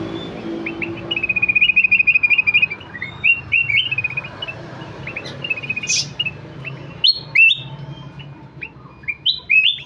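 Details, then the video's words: Kutilang emas singing busily. A rapid rattling series of high chirps opens, then a sharp burst and sweeping whistled notes come in irregular groups. "Burung kutilang emas gacor"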